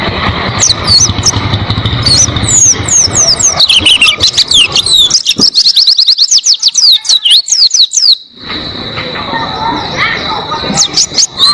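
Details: Oriental white-eye in a cage, recorded as a long tutor song for training other cage birds: fast, high, thin twittering trills and slurred whistles, partly masked by harsh broadband noise at the start and end.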